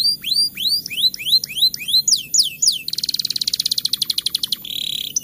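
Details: Canary singing a rolling song, played to stimulate lazy canaries to sing in the rainy season: a run of sweet rising whistled notes, then a fast buzzy trill of rapid repeated notes, ending with a short higher trill.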